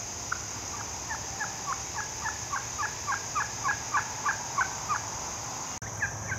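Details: A wild turkey on an early autumn hike gives a fast run of gobbling notes, about three a second, for five seconds. A steady high hiss and a low hum sit underneath.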